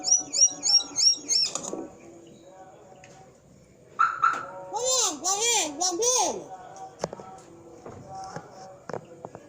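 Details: Hill myna being trained to speak: a burst of five loud, wavering whistled notes, a quiet pause, then a fast run of arched, voice-like syllables about four per second, with faint human talk and soft clicks in the background.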